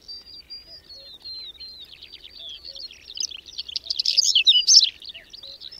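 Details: Whinchat singing during a sudden May snowstorm with wind and cold, at the edge of Domzheritsy village in the Berezinsky Biosphere Reserve: a thin high drawn-out whistle gives way to a busy scratchy warble, with soft low notes from another bird.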